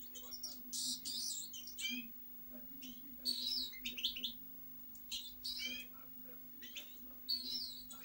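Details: Goldfinch song heard as separate short bursts of high tinkling twitters and sharp chirps, roughly one phrase every second or so, set against hiss and a low electrical hum.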